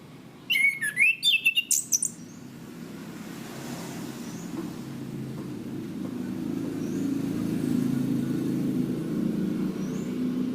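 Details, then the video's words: Cage-bird training recording of a chestnut-capped thrush (anis kembang): a rapid, clipped run of about eight whistled notes at the start, then a steady low rumble and faint distant high chirps. "Masteran Anis Kembang | Punglor Gacor Ngeplong Mantap"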